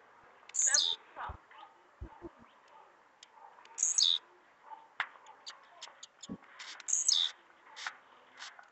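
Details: Blue-black grassquit, filmed 3 May 2021, giving three sharp, high, buzzy 'tiziu' notes, each dropping in pitch, about every three seconds, with faint clicks and soft background voices.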